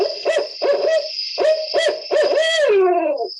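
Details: Common Barred Owl call from Connecticut: a rhythmic series of five deep, throaty hoots, the last drawn out and sliding downward as it tapers off at the end. A faint steady hiss runs underneath.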